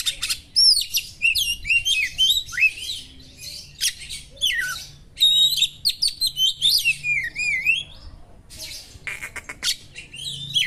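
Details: Sharp, small-bird-style song of an Oriental magpie-robin, used to provoke a magpie-robin: nearly continuous varied phrasing of high downslurred whistles, rapid chattering notes and looping warbles, with a brief pause near the end before more whistles.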